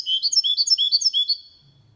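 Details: Short burst from a goldfinch-canary mule singing cleanly for stimulating males and teaching youngsters: a quick run of sharp, high, liquid chirps, then quiet.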